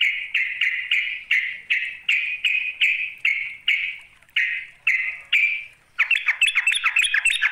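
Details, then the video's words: Sooty-headed bulbul calling a rival: about a dozen short, sharp notes repeated at a steady quick pace, a brief gap, then a rapid chattering flurry. "Panggilan trucuk memanggil lawan"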